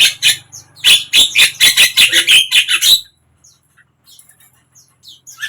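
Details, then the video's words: Javan myna singing to encourage a silent bird to open its beak: a rapid string of harsh, buzzy repeated notes lasting three seconds, then near silence with faint distant chirps. "suara JALAK KEBO BISU BIAR IKUT BUKA PARUH"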